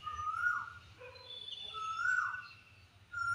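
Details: Asian koel calling on a spring afternoon, its kuhu kuhu call heard as two rising whistled notes about two seconds apart, with faint higher chirps from other birds behind.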